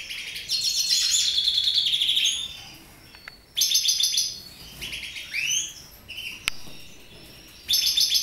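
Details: Twittering song of a captive colour-mutation goldfinch: long runs of quick, jingling high notes broken by quiet gaps, with upward-sweeping chirps and one sharp click in between.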